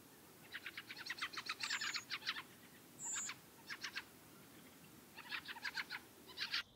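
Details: Wintering Fieldfares feeding on berries in Britain give harsh, dry "chuck chuck" notes in quick bursts of five to ten, with a pair of thin high whistles between the bursts.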